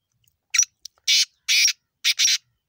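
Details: Black francolin giving its harsh, grating call in a clear rhythm: one short rasp, a brief click, two longer scratchy bursts, then a quick double rasp, with no other sounds.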